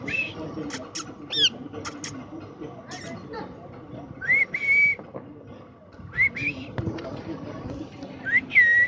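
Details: Caged parrot kept by a fortune teller, said to be angry: scattered sharp whistled calls and short rising squawks with pauses between, plus a steady low hum and faint background voices.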